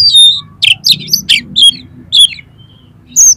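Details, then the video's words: Short burst of Oriental magpie-robin song, used to get other magpie-robins singing and tail-spreading: a pure high whistle, harsh downslurred notes and sweet descending whistles with brief gaps. "DALAM HITUNGAN DETIK KACER KALIAN PASTI LANGSUNG ON !!! MAU BUKA EKOR"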